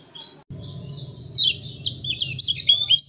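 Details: White-eye, pleci from Lombok/NTT, Indonesia, in ngalas style: a thin, buzzy, high warble that builds into faster jumbled twittering over a steady low mechanical hum.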